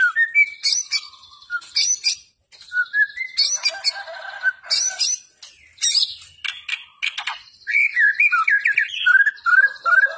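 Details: White-rumped shama (murai batu) singing in an energetic, fighting style (gacor): a rich, fast medley of clear whistles, rising slurs and harsh chattering bursts, constantly varied with almost no pauses across ten seconds.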